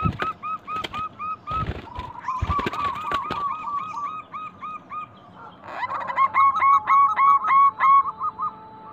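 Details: Local Indonesian zebra doves used as a lure recording to get other doves calling: fast runs of short hooked cooing notes, several birds overlapping, with brief clattering knocks and a louder rapid burst near the end.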